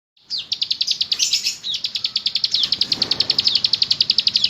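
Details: Bar-winged prinia, known locally as ciblek gunung, singing loudly in the rapid 'nembak ngebren' style: a fast, drilling series of high, sharp notes, nearly four per second, with a brief busier burst early on.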